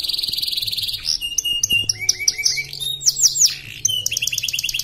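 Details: Canary named Sapu Layang from Pontianak, West Kalimantan, Indonesia, caged and singing in an online canary contest; fast varied song of loud high trills, rapid repeated notes and sweeping whistles, with a brief buzzy trill at the start.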